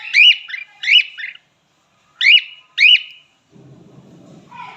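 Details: Male cockatiel giving two pairs of bright, upward-swept whistles, each note with a short trailing buzz, then a brief low rumbling noise at the end.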